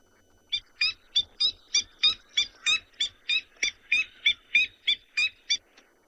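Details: Coqui francolin call, played back by a safari guide in South Africa; the bird is named after this call, which says its name. About sixteen short, loud, evenly spaced two-part notes come in a steady series of nearly three per second.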